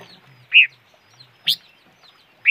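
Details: Bird called noog rheeb in Hmong and chim ngũ sắc in Vietnamese gives loud, clear chirps roughly once a second, each note short and slightly rising, with a faint low rumble beneath.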